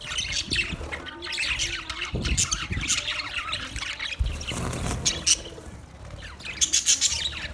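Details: Budgerigars twitter and squawk with high scratchy notes, mixed with low rustling and knocking noises in the middle, then more chirps toward the end.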